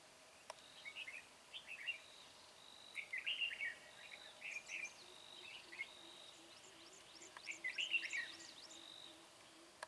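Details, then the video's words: Red-whiskered bulbul decoy with a bell-like voice, used on 13 March 2020 to trap wild bulbuls: short warbled, chattering phrases at mid-high pitch come in bursts every second or two, with thin, high, sweeping chirps from other birds and a faint steady hum. "Bẫy chào mào Mào đá lân hầu bò giọng chuông"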